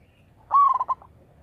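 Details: One clear coo from a vocal local zebra dove kept as a lure: a long level note that breaks into three or four fast rhythmic pulses, then silence.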